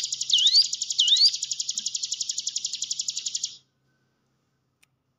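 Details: Caged-bird lure of hill prinia song: two swooping notes open a rapid buzzy pulsed trill lasting about three and a half seconds, then silence.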